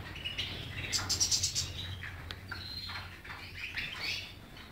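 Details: Rather quiet European goldfinch twittering, a rapid series of high chirps around the first second and a half followed by soft slurred notes against low-pitched background rumble.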